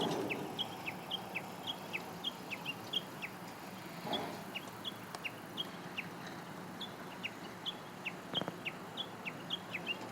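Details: Japanese bush warbler recorded on 26 June 2017 while a peregrine falcon watched from a pylon on the far bank and other birds hid. Evenly spaced, sharp, high downward-slurred notes repeat about twice per second, with a faint background rumble.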